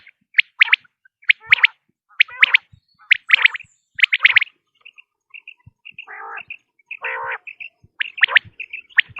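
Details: Common quail: rapid triple-note calls, then a run of soft high whistles and two harsh, grating lower bursts, before the sharp triplets return at the end.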